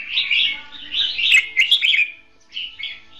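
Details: Caged red-whiskered bulbul serving as a trapping decoy, singing in a dueling style: several linked bursts of lively, fluty warbling notes, then a pause and two softer phrases.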